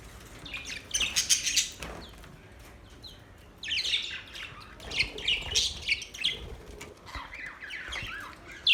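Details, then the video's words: Budgies chirping and singing in what is called a mating call: irregular bursts of high squeaky chatter and squawky notes separated by quieter gaps, with the chatter resuming in louder clusters. "Budgies birds singing"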